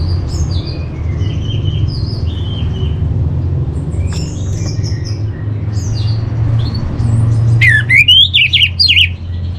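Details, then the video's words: Orange-headed thrush master song for training, where faint distant chirps give way to a loud, rising, sharply slurred whistled phrase near the end, with persistent low rumble. "Menstabilkan Burung ANIS MERAH Dirumah Baik EMOSI & Birahi dengan Mendengarkan Kicauan Masteran ini"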